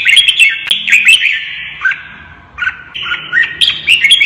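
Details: Fiercely singing red-whiskered bulbul stirred up for a cage fight against a rival; quick chattering whistles and warbled slurs pour out, dip into a short lull midway, then resume in lively bursts.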